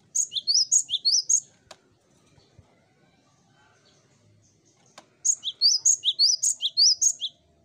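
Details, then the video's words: High, sweet cinereous tit song played to draw other birds into singing: a brisk series of repeated two-note phrases, a quiet gap with a couple of soft clicks, then another lively run. "Burung Gelatik Batu Pancing Ombyokan Agar Cepat Bunyi l Zeer melodieuze zang van de Mees (vogel)"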